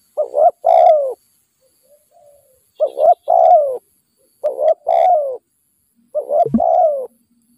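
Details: Spotted dove at a trapping site with a decoy bird, steady low hoarse cooing: four phrases of a brief double coo and a longer falling note, one phrase overlapped by a sharp click.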